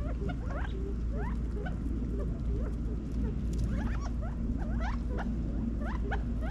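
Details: California quail feeding in a back yard in Las Vegas, Nevada, fall 2022; many short chirping notes, rising and falling, overlap continuously over a low steady rumble of background noise.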